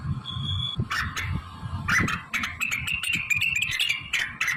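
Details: Blue-winged leafbird singing vigorously with fill-ins imitating magpie-robin, canary, prinia, ciblek, kapas tembak and cililin; scattered chips, then a fast run of crisp ticking notes over a sustained warble, with constant background hum and low-pitched noise.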